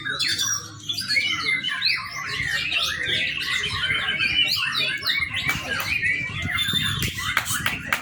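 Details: Young white-rumped shama song, used as a training lure: sustained, energetic warble of varied whistled phrases and rapid chattering trills, ending with a few sharp clicking notes.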